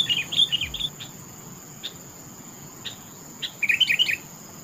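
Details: Sooty-headed bulbul giving quick, cheerful chirped phrases, then scattered single notes and a final busy cluster of warbling, with a constant thin high whine behind.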